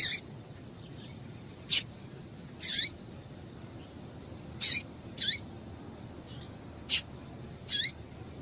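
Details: High chirping calls from a female variable seedeater, meant to excite males into song: brief descending notes, some paired, roughly one every two seconds, with softer fainter chirps between and a low hiss behind.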